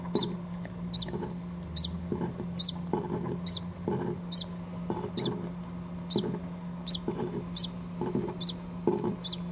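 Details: Green-cheeked conure chicks five days old, four in the nest with the mother still sitting on an egg: thin, very high squeaky peeps repeated about once a second, over a steady low hum and soft rustling.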